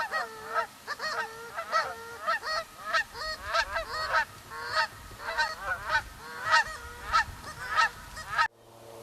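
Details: On a cold hunting morning, many geese fly toward a decoy setup, calling back to hunters' calls: nasal two-part honks in a busy overlapping chorus, one or two a second from several birds, until the sound cuts off abruptly.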